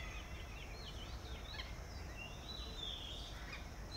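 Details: Red-vented bulbul in a natural garden habitat: short, sharp chirps and slurred notes scattered through the clip, with a brief high whistle near the end, over steady low background hum.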